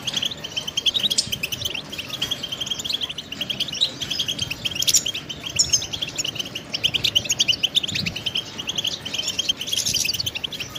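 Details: European goldfinch, a pet bird, pours out a steady, busy stream of high, tinkling twitters and short trilled phrases for about eleven seconds, with soft low room noise beneath.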